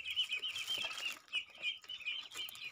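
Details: Pet crested myna being tamed, uttering a continuous string of thin, high chirping notes in short bursts separated by brief pauses, over light rustling and handling noise.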